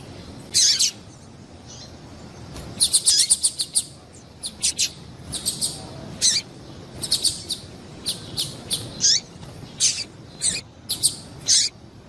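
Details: Repeated high chirps from a female double-collared seedeater, a call for warming up males, arrive in irregular bursts and doublets, some notes dropping in pitch, over a steady faint background hiss.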